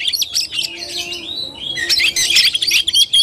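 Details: Oriental magpie-robin in tarung fighting-style song, recorded 17 August 2021. High chirps and long gliding whistles, then quick bursts of sharp notes at roughly four per second.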